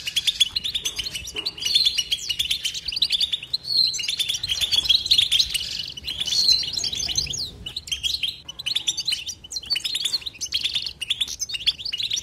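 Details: Goldfinch batbata song, delivered without silence: a continuous stream of liquid twitters and quick high chirps, with occasional drawn-out whistled notes rising above the rapid chatter.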